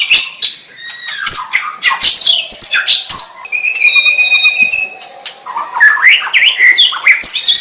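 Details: White-rumped shama in varied song: harsh chatter and clicks, then a sustained steady whistled note, then a burst of rapid whistled and scratchy phrases.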